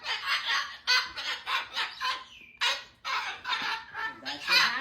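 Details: Indoor pet cockatoo, agitated by roughly 40 mph winds outside, gives a rapid series of harsh, raspy squawks in short rhythmic bursts, about three per second, with a brief pause midway.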